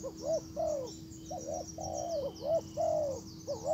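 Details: Decoy spotted dove calling a wild bird with smooth, throaty arched coos in a quick uneven run, accompanied by high twittering birds and a steady low hum.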